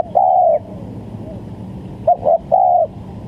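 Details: Lure call of a spotted dove: a drawn-out low coo, then a short pair of quick notes and another long coo, over a constant low rumble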